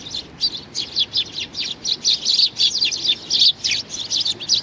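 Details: A young sparrow chick chirping continuously, thin high notes tumbling out in fast uneven runs with barely any gaps, fairly loud and close.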